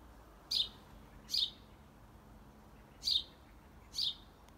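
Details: A baby common blackbird calls in a garden while its parents stay close, captured with an iPhone. Four thin, high, clipped notes sound at uneven intervals of about one to two seconds against quiet low background noise.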